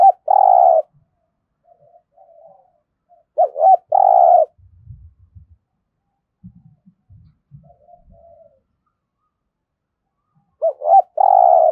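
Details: Spotted dove in Đồng Nai, Vietnam, in competition cooing: three loud phrases of two quick hooked notes and a long rolling coo, spaced several seconds apart, with soft distant coos and low thumping knocks in the gaps.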